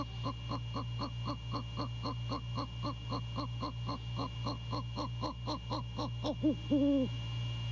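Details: Male great horned owl visiting a nest-cam site near Savannah at 1:24 AM on 6 January 2022: a rapid run of short, low, arched notes, nearly four per second, ending in two longer hoots, over steady electrical hum.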